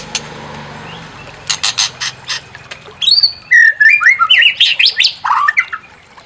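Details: White-rumped shama used to provoke singing and a full repertoire. Harsh chattering notes give way to a loud, rich, fast phrase of varied whistles, warbles and slurred notes climbing and falling, over a faint hum.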